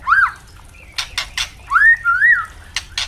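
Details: Captive white-rumped shamas, young spotted bird and adult, in clear 'ngeplong' song meant for training: arched, slurred whistles alternating with loud dry clicking bursts.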